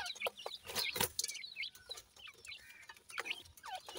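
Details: Grey francolin chicks in a captive breeding setup, being fed insects by the female; high, thin chirps and short upward peeps come in quick scattered bursts, with soft clicks and rustling between them.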